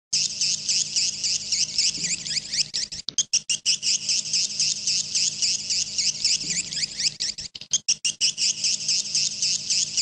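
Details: Edible-nest swiftlet calls in the style known as jaguar: a dense, continuous high twittering of many overlapping rapid chirps, with brief dropouts around three and eight seconds.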